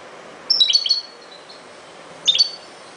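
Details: European goldfinch in ghoroub song style: two brief bursts of sharp, high tinkling twitter notes about two seconds apart, with soft background hiss between them.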